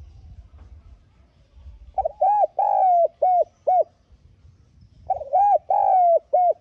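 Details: Spotted dove lure coos for stimulating newly trapped doves: two phrases of low hollow notes about three seconds apart, each a stuttered start, long sliding coo and short arched coos, faint low rumble between.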